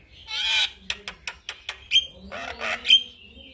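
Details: Male Javan myna singing for other mynas to imitate: a harsh grating note, a string of sharp clicks about every fifth of a second, then high whistles and rough squawks.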